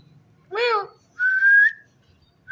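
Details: Talking ring-necked parakeet producing one wavering, voice-like syllable, then a long, level, clear whistle that rises slightly at the end, followed by the start of another whistle.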